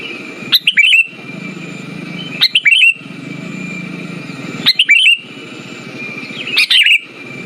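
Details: Sooty-headed bulbul song used as a lure to stimulate silent bulbuls: four short bubbly, chirping phrases spaced about two seconds apart, over a steady high whine and soft background rumble.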